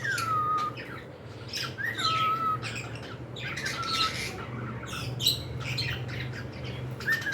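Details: Pet cockatiels indoors: falling whistled notes about every two seconds, each gliding down and levelling off, separated by harsh squawky chirps over a low room hum.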